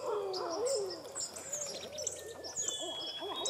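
A barred owl gives a loud, wavering hoot that rises and then slurs downward, followed by softer arched hoots, with thin high insect-like tones above.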